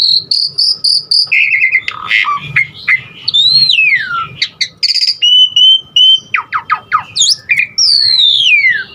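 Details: Asian pied starling giving a varied song of repeated high notes, buzzy trills, long gliding whistles and quick downward sweeps, with faint low hum behind.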